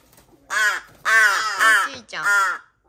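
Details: A young rescued crow, a hand-raised nestling found dumped in a garbage bag, gives four nasal, rich-toned calls over two seconds while eating, each gently arching down in pitch; recorded 13 August 2022.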